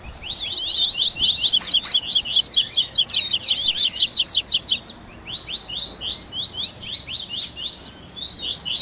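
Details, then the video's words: Captive double-collared seedeater chatter played to warm up a bird to sing: an energetic stream of quick, high, clipped chirps, a dense burst then a brief lull before looser repeated twitters resume. "Baderninha de Coleiro Top FAÇA SEU COLEIRO CANTAR em 30 Minutos - Esquenta de Coleirinho!"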